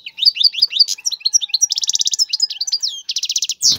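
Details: Vigorous mating song of a caged male European goldfinch urging a female to breed: fast, loud liquid twittering with two rattling buzzy trills, ending in an abrupt harsh note.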